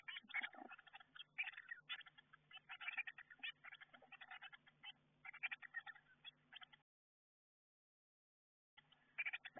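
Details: Young Eurasian blue tits inside a garden nestbox, picked up by a nestbox camera as they prepare to fledge: dense bursts of short, rapid chirps with a steady low hum, then two seconds of silence before the chirping resumes.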